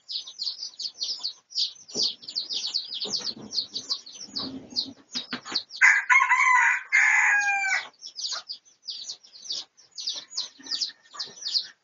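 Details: Pradu-coloured red junglefowl in a research recording dated 18 August 2023: a loud, harsh, harmonic-rich crow lasting about two seconds midway, surrounded by dense, rapid high-pitched chirping of small birds throughout.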